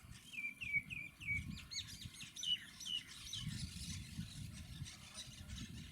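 Monk parakeets give harsh, grating squawks in a quick series, about three per second, then overlapping chatter from several birds, over a low rumble of wind or traffic.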